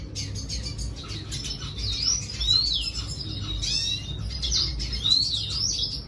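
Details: Red siskin singing: high thin twittering phrases with bright rising-and-falling whistled slurs every couple of seconds, over a steady low rumbling background.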